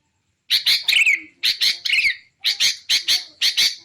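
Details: Sooty-headed bulbul recording used to lure wild bulbuls and to train caged songbirds. Harsh, buzzy chirps come in quick pairs and triplets, with one down-slurred whistle near the start, separated by short pauses.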